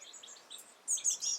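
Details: Fledged juvenile great spotted woodpecker fed by its mother; a run of short, high, sharp notes, louder and denser toward the end.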